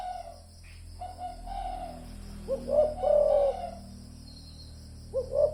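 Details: Spotted dove lure call: soft, muffled coo notes followed by a louder, wavering croo and a final short coo, set against a low steady hum.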